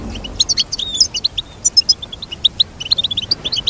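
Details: Crisp goldfinch song, a brisk sequence of tinkling high chirps and thin whistles, rhythmic and clear against a quiet background.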